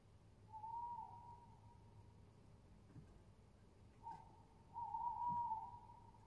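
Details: On 22.07.20 a tawny owl gives two hooting phrases about four seconds apart. The second opens with a short note before a longer wavering hoot. Faint clicks and low rumble are also heard.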